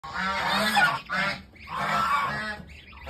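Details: Goose chicks offered for sale, a group calling together: two dense bursts of overlapping, harsh, honking chatter, each about a second long, separated by a brief quieter gap, with a steady low hum underneath.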